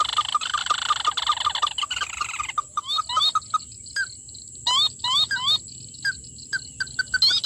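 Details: Red-legged crake recorded during a trapping session: sharp, upslurred notes repeated in irregular bursts, mixed with higher squeaky chirps. A steady high electronic-sounding tone runs throughout, and a dense chattering passage is heard in the first two seconds.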